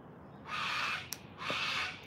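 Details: Wild sulphur-crested cockatoo from a flock gathering to feed in freezing weather in Australia: two harsh, raspy screeches, each about half a second long and a second apart, loud and grating over quiet background hiss.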